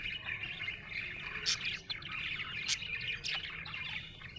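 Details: Budgerigar in a happy mood chattering continuously with rapid warbled chirps, punctuated by several sharp clicking squeaks about once a second, and a low hum behind.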